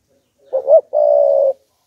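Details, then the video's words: Decoy spotted dove cooing to stir up wild doves: a brief wavering two-part note climbing in pitch, then one long, even, sustained coo of about half a second, clean and close with a silent background. "Chim Cu Gáy Kích Bổi Đủ Bài - Kích Là Gáy 100%"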